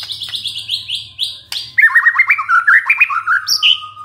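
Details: White-rumped shama played as a lure to set off singing in a stressed caged bird: a quick run of bright slurred whistles high up, then a lower string of rich, rolling, varied phrases with a sharp upward flourish near the end.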